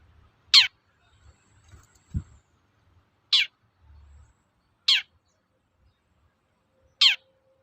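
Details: Cendet, the long-tailed shrike, calling toet-toet to provoke rival shrikes: four isolated, scratchy downslurred notes at irregular intervals of one to two seconds, with a brief low thump and faint background murmur.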